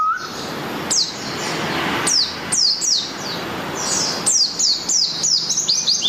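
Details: Morning song of a Malang white-eye (pleci): bursts of high, sharp descending whistles in short clusters separated by brief pauses, with a faint short beep at the start.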